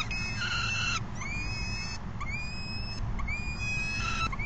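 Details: Falcon during an afternoon feeding on 3 June 2021: drawn-out, reedy wailing calls about a second long, four in a row with short gaps, each rising slightly at the start, over a steady low rumble like traffic.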